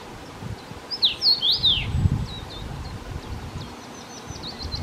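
A short burst of clear, slurred whistles from a Common Rosefinch, rising and falling, followed by a faint run of quick high ticks over low rustling background noise.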